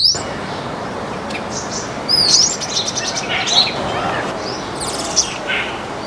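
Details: Backyard flock of Baya weavers eating grains: bright, twittering chirps, including a sharp rising-falling whistled note, then quicker ticking notes, with low background rumble.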